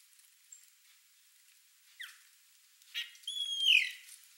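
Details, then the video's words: A flock of Chopi blackbirds at a feeder gives clear, liquid whistles and a bright downslurred note, with sharp chips scattered between, over an otherwise quiet background. "CANTO DO PÁSSARO-PRETO (GNORIMOPSAR CHOPI), CHOPI BLACKBIRD, GRAÚNA"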